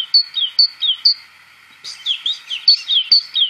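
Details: Great Tit, whose call in parts of southern Andalusia is rendered as "chi chi chi pang"; clear high two-note whistled phrases repeated about twice a second, a short pause, then a denser run of quick, higher notes.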